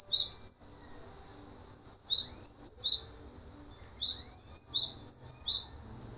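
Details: High-pitched song of a male cinereous tit used for tutoring songbirds, a lone note, then two clusters of quick, sharply inflected paired notes separated by brief silence.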